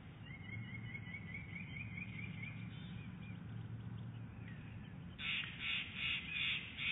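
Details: Female bald eagle at the Big Bear Lake nest on 11 January 2018, calling early in the day around egg rolling: a quick run of about five high, squeaky chittering notes near the end over steady low wind rumble.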